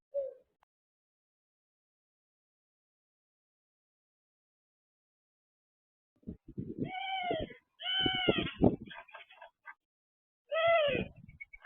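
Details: Several rose-ringed parakeets calling while eating peanuts, their new favourite food: harsh, nasal squawks in bursts of one to two seconds after a long quiet spell, with rough crackling between calls.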